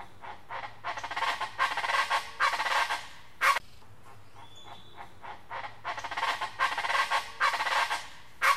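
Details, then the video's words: West Mexican chachalaca giving loud, raucous, rhythmic call phrases, the harsh bursts coming in quick runs about every half second, with a brief thin whistle from another bird. "Ortalis poliocephala sonido"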